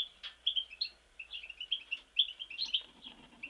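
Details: Short stretch of European goldfinch song from Mostar, a fast string of clear chirping and twittering notes rising and falling, delivered almost continuously.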